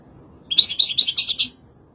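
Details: A European goldfinch sings one quick twittering phrase of about six high, tinkling notes lasting around a second, clean against a quiet background.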